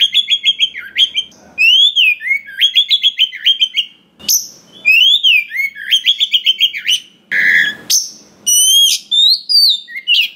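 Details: Wild-caught Oriental magpie-robin in full song with many fill-in phrases, used to stir other birds into singing and fighting spirit. Rapid runs of clear whistled notes, arched slurs and sharp high chips pour out almost without pause, with one brief rasp.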